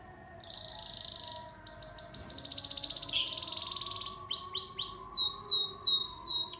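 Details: Canary singing: fast rolling high trills build steadily, then shift into a run of repeated, down-slurred whistled notes in quick succession.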